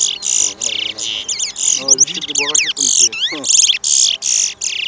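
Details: Chestnut-bellied seed finch, called towa towa, competing in a 2023 singing race at Lamaha Street, Georgetown, Guyana: loud high buzzy bursts alternating with fast descending and rising whistled slurs, while people talk softly in the background.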